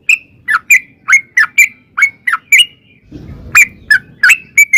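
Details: Yellow-vented bulbul (trucukan) singing long ropel lure song to prompt an answer: evenly spaced dipping and ringing notes about three per second, with a brief low rustling noise midway.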